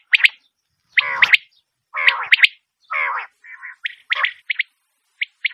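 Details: Common quail calling: several rough, buzzy, harmonic notes one after another, followed by short, sharp, high triple notes near the end.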